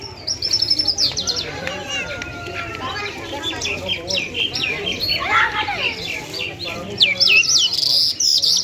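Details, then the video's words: Lark, a jal of the Afghani lunda type from Parachinar, singing a full song: rapid, scratchy high chirps and trills repeating several times a second, with brief rising whistles, over a low background rumble and faint voices. "Top Lunda Larks Mashadi sk lunda jal full Sining"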